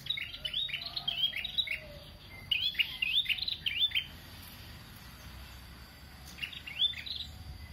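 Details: Chattering prinia song in short bursts of quick, high, slurred chirps, each burst about a second long and separated by pauses, with a faint low rumble underneath.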